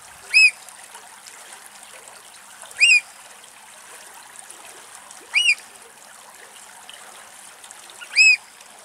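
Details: Four loud, piercing 'kleep' calls from an adult Eurasian oystercatcher in Axios Delta National Park, Thessaloniki, Greece, each a sharp arched note about two to three seconds apart, over a steady background of trickling water.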